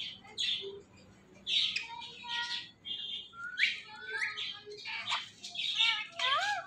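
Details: A pet talking parrot mixes breathy squawks with short whistled tones and rising, voice-like sweeps, over a faint low background hum.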